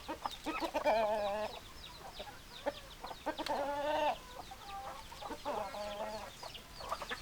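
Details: Roosters crowing among clucking hens: two long drawn-out harmonic crows, each lasting under a second, separated by a short gap, with a third shorter crow later and scattered clucks between.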